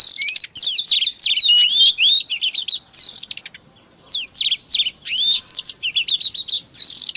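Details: White-rumped shama song for stirring other shamas: loud, rich, fast-paced whistles, slurs and harsh chattering notes in long phrases broken by brief pauses.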